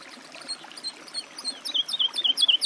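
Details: Woodlark singing: a quiet start, then from about 1.5 seconds a quickening series of high, sweet, descending notes that grows louder toward the end.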